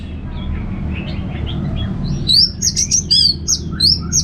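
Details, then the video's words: Orange-headed thrush (Anis Merah) singing in the ngeplong style: faint, scattered notes at first, then from the midpoint loud, sharp whistled phrases rising and falling in quick succession, over a steady low hum. "$uara ANIS MERAH Ngeplong"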